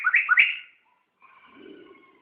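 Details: Laughingthrush singing, a tutor recording for training other songbirds: three quick rich whistled notes sliding up and down, a pause, then softer drawn-out whistles over a low murmur.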